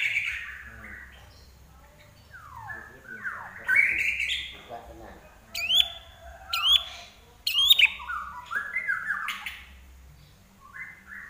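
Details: Energetic song of a common iora, opening with downward-sliding whistles, then loud clipped notes with sharp upward flicks, followed by quicker descending phrases; quiet gaps separate the louder bursts.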